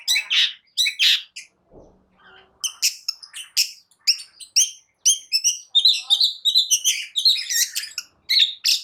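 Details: Long-tailed shrike song intended to make other birds sing: dense run of scratchy, mimicking chirps and harsh rasping notes delivered in rapid clusters, briefly pausing near the start with a faint low thump.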